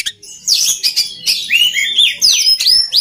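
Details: Oriental magpie-robin singing, a recording meant for training other birds: rapid, loud, varied whistled phrases with swooping slurs and scratchy bursts, running almost unbroken for three seconds after a brief quiet start.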